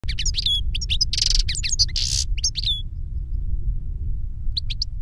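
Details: Older goldfinch singing to teach a younger goldfinch: a rapid run of high twittering notes, buzzy bursts and clear down-slurred whistles for about three seconds, then a short fresh burst near the end, over steady low rumble.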